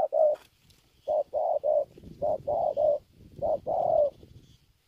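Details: Spotted dove from Kon Tum, Vietnam, calling with low, mellow hollow coos in short clusters of two or three notes, about nine notes in five seconds, with a slightly longer, drawn-out coo near the end; quiet background.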